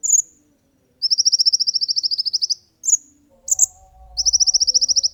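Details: Olive-backed sunbird song for training and luring other birds: very high, rapid trills of clipped notes, each lasting about a second and a half, broken by quick chirps, with a brief low thump.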